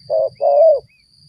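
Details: Lure call of a spotted dove for trapping. Two mellow coos: a short, even note followed by a longer one that swells and then drops at the end.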